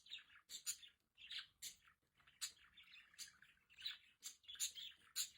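Budgerigars chatter in quick, scratchy chirps and sharp high clicks, overlapping in a busy stream.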